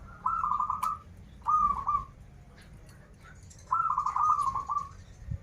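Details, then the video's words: Local zebra dove from Banten in strong singing form, song styles called krital and warung kebek: three trilled, purring coo phrases, the first and last longer, separated by short pauses, with faint low background rumble. "Perkutut lokal gacoran suara krital, warung kebek, dan suara aneh"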